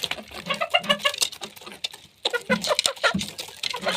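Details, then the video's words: Chickens at their food, quick run of soft clucks in the first seconds, a short pause, then more clucks with busy pecking taps. "chickens eat sound effect"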